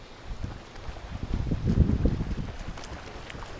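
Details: Gusty wind buffeting the microphone with low rumbling, no animal voice heard.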